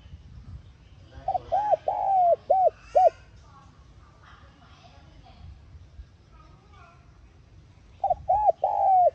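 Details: Cooing spotted dove, played to trigger a decoy bird into singing. Two hollow mid-pitched phrases, each a quick run of arched coos ending in a long drawn note, separated by several seconds of faint chatter and other sounds.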